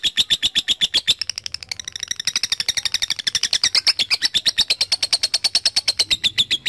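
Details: Lovebird ngekek aimed at a rival, a lure for long chattering: a steady machine-gun trill of shrill notes, briefly softer and lower around one to two seconds, then surging louder and higher before settling.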